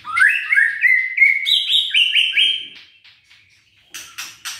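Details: White-rumped shama used as a lure song to stir listless, quiet shamas into singing: loud, rich whistled phrases stepping upward in pitch, a rapid series of bright slurred notes, then a pause and sharp harsh chips.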